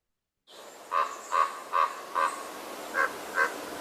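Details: A Common Raven in Sonoma County gives six deep, resonant, slightly gurgling croaks, 'bronk', spaced about half a second apart, deeper than a crow's call, over a faint background hiss.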